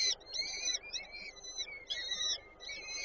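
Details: Female peregrine falcon feeding chicks at a Warszawa Żerań nest, Poland, 8 May 2023: a sharp opening note, then harsh, drawn-out wheezy squeals in three or four bursts.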